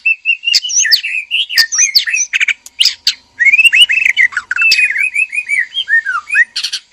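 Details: Male and female white-rumped shama in a breeding cage, calling to stir mating: rich, varied whistled phrases with slurred rising and falling notes, sharp clicks and quick chirps, delivered almost without pause.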